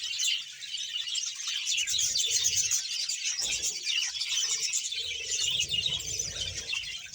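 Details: Roughly one hundred budgerigars kept as a colony in Bahawalpur, Pakistan, chattering in a busy high-pitched chorus of chirps and trills, overlapping constantly, with some faint low handling noises.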